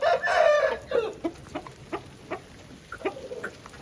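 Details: Aseel chicken after rain: the tail of a loud raspy crow, then a run of short clucks repeated about twice a second, fading in and out over light background noise.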